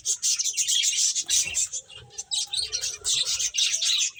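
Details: Finches playing give loud, sharp, very high chirps in rapid pulses, with a softer lower twitter in the middle stretch.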